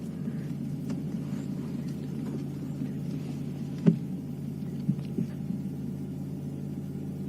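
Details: A low, steady engine hum and rumble during a sunrise safari drive on 27 April 2015, with a few soft knocks and clicks and no animal calls.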